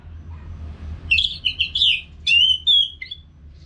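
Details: Caged orange-headed thrush in continuous song; after a second of low hum, a burst of rich, warbled phrases with twisting whistles and sharp chips, then a short pause and a final clipped note.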